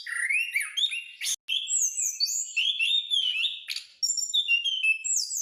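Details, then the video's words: Orange-headed thrush kept in a cage, fully in song with a rolling style: sliding whistles rising and falling, mixed with sharp chips and a short break before more high warbling. "anis/punglor gacor"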